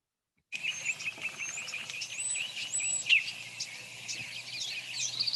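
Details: Bullock's Oriole song played back as a bird-song quiz recording; a run of bright whistled and chattering notes, some slurred upward, flows almost without pause over a quiet background.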